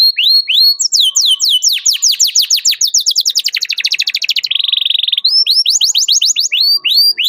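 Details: Canary in sustained song, calling a rival and serving as a lure for young canaries learning to sing: cascading sweeps speed into a rapid trill, a buzzy rattle, then renewed rising sweeps.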